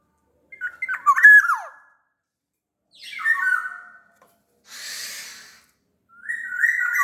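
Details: Black-naped oriole of Sumbawa stock in lively song, played to make quiet orioles answer: three whistled, partly raspy phrases spaced about two seconds apart, with one hissing noise burst between them.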